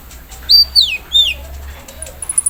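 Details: Olive-backed sunbird in the morning air: three loud, thin whistles swooping up and down, followed by a quick series of tiny high ticks.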